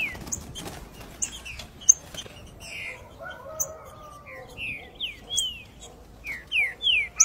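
Green-winged Saltator giving clear, slurred whistled notes, some rising and some falling, in loose short phrases. Faint background noise and a few softer chirps.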